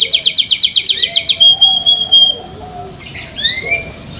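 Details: Canary kept at home sings to invite others: a brisk trill of sharp repeated notes, then thin sustained whistles, trailing off into softer rising and falling whistled notes.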